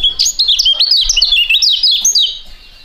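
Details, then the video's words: Two young fighting-type songbirds sing a duet: a loud, dense stream of rapid, high, looping whistles and trills, fading out at the end. "STORING DUET PRUGUT DUA BURUNG MUDA YANG SANGAT ISTIMEWA"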